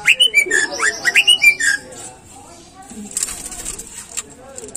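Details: Caged greater green leafbird song, played to prompt other caged birds to sing: a quick run of rising and falling whistled notes for under two seconds, then a low background hiss and faint high hissing.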